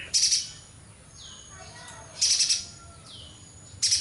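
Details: High, buzzy chattering bursts from a streaked spiderhunter singing vigorously, three short rattles spaced about two seconds apart, with soft descending whistles between them.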